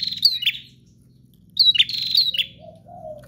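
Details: Prinia in full, vigorous song: two short bursts of sharp, buzzy chirps separated by about a second of quiet, followed by a faint, lower drawn-out note over a steady background hum.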